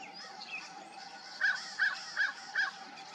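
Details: Crow at dawn giving four short, hoarse caws evenly spaced about a third of a second apart, following a quieter stretch of faint background calling.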